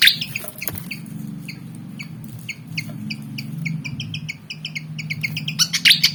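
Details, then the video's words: Black-and-white Javan fantail, about 19 cm long, agitated and eager to fight, gives rapid, uneven series of high clipped chips, thickening into a loud burst near the end, with a low hum underneath. "Burung Kipasan Jawa Ngotot Liat Pengen Tarung"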